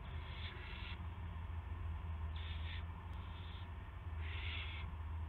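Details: March 18, 2016, 8:00 PM: an owl bringing in a gopher. Three scratchy, hissing bursts come irregularly, partly masked by a loud, steady low hum.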